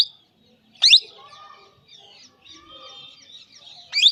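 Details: Indian baby parrot making two loud abrupt rising screeches about three seconds apart, separated by quieter warbling and chattering notes.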